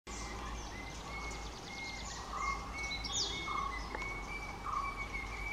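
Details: Vernal hanging parrot (Loriculus vernalis) in the Palani Hills, India, giving thin, high, squeaky notes repeated more than once a second, with a steady low rumble and another bird chirping once.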